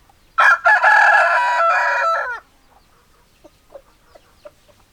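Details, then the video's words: Rooster crowing: one loud, long, harsh cock-a-doodle-doo lasting about two seconds, ending in a falling note, followed by a few soft scattered clucks. "Chicken Sounds Noises Hens Clucking Roosters Crowing"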